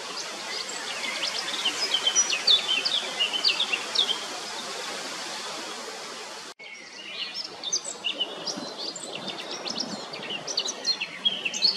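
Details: Eurasian blackcap singing: quick, warbling bursts of varied high notes over steady background noise, with a short break midway before the warbling resumes.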